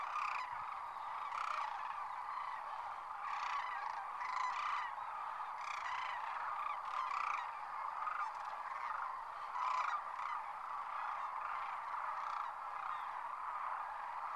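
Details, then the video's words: Thousands of sandhill cranes at their winter home, Whitewater Draw near McNeal, Arizona, lifting off from the roost: a dense, continuous chorus of rolling, bugling calls with overlapping bursts every second or so. "Sandhill Cranes Liftoff"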